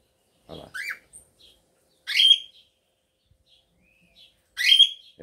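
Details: Male cockatiel courting a female to mate after finishing the nest: two loud, harsh chirps about two and a half seconds apart, each ending in a clear whistled note, between softer rising chirps and a little rustling.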